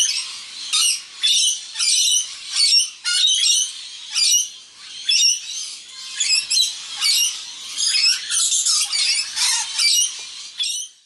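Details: Wild rainbow lorikeets dining together, an immature bird among the flock; sharp, screechy squawks repeat in short separate bursts about twice a second, with brief quiet gaps between.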